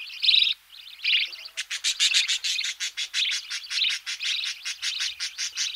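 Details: Close-up budgerigar chicks being fed in the nest: two raspy bursts, then a fast run of short clicking pulses merging into steady harsh chattering.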